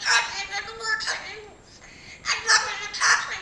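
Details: A talking pet cockatoo named Loli gives harsh, speech-like bursts, about six short squawky phrases in two clusters with a pause between, as Spanish-speaking human voices murmur in the background.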